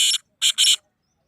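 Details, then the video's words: Black francolin calling to rouse other francolins: three loud, harsh, buzzy notes, the first brief, then a pair of longer grating notes close together, with silence after. "تیتر کی ایسی آواز 😱 آپ کا تیتر مست ہو کر بولنے لگے گا!"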